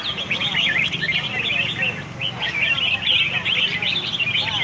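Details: Competing red-whiskered bulbuls at a contest field in Hat Yai, Songkhla province, Thailand, give dense, bright twittering and quick warbles from many birds at once, with a low hum of people behind.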